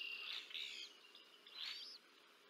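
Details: Two bald eagle chicks being fed on the Decorah North nest, 30 March 2024, nest camera; high, slurred whistled chirps, a pair of quick notes followed by one longer rising-falling note, over a low hiss.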